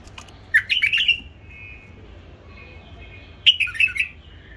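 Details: A captive-bred hybrid bulbul sings two brief, bubbly whistled phrases about three seconds apart. Each has four or five rapid liquid notes. A thin steady tone sounds in the gap, over a faint low hum.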